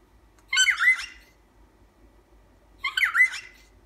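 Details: Pet cockatiel kept indoors, known for honking, giving two harsh nasal honks about two and a half seconds apart, each a short buzzy burst in a quiet room.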